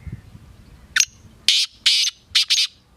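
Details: Black francolin, known locally as kala teetar, gives a harsh grating phrase: one sharp rising note, then four loud buzzy bursts over about one and a half seconds. A quiet background lies behind it.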